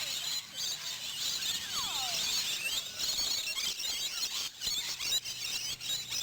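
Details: Rainbow lorikeets, a wild flock fed at a campground in Queensland in the afternoon; constant high-pitched squealing and screeches from many birds at once, with a few lower descending notes near the middle.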